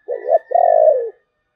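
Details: Spotted dove singing in the thổ bầu voice style: a short wavering coo, a brief gap, then a long, slightly burry coo that sags at its end. One two-part phrase, clean with no other sounds.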